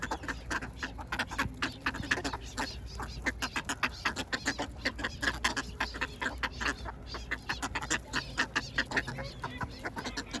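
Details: Ducks being fed bread give a steady stream of short, harsh quacks, densely overlapping and repeated several times per second throughout, with a low background rumble.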